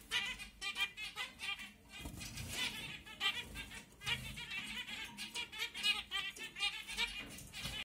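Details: Zebra finch of the CFW blackface colour combination sings nasal, buzzy notes run together in quick, chattering phrases.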